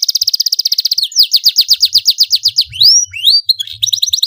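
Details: Loud, energetic domestic canary song for tutoring young canaries: a rapid even trill opens, shifts into slower falling chirps repeated several times a second, then rising whistled sweeps and another quick trill; faint low thumps underneath.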